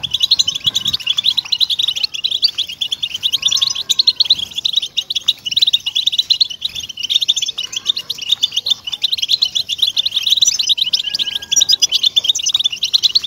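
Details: Captive-goldfinch motivation song of the European goldfinch: a long, even, high-pitched twittering, rippling and dense, broken only by occasional faint lower whistled notes in the background.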